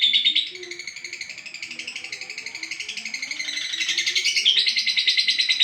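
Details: Olive-coloured lovebird keeps up a long, unbroken chattering song: harsh, buzzy twitter pulsing quickly and evenly, rising in loudness toward the end with occasional thin whistled accents; soft low rumbling in the background.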